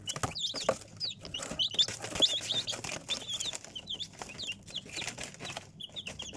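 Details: Chicks heard as intermittent high, thin peeps, some rising then falling, loosely spaced among frequent rustling, tapping and clicking noises.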